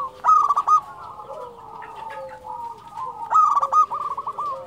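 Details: Local Indonesian zebra dove (perkutut lokal) singing actively: two bursts of rapid, stuttering cooing notes with a rolling rhythm, each lasting under a second. Quieter, drawn-out coos from other doves fill the background between the bursts.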